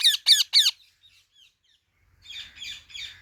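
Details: Indian ringneck parrot letting out three loud, harsh, high screeches in quick succession, then a pause and three softer raspy chattering bursts over faint low background rumble.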